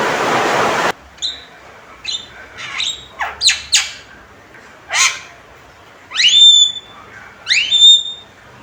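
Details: Male Javan myna giving loud, sharp calls: harsh bursts and rising whistled sweeps with high overtones, spaced irregularly about every second, after an opening second of broad hissing noise.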